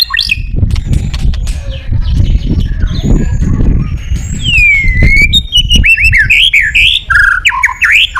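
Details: White-rumped shama song intended to stimulate other birds: after a rumbling, noisy opening, clear swooping whistles and quick looping phrases emerge in the second half.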